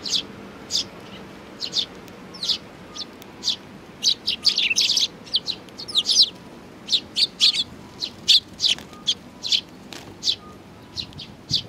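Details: Hand-tame young sparrows kept by people, giving rapid bursts of high, sharp chirps, singly and in quick clusters, with some overlapping busy flurries around the middle; faint background hum.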